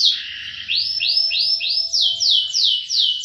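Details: Canary singing in roll style, a short trill followed by evenly spaced upswept whistles and then down-slurred ones, about three per second, over a faint steady low hum.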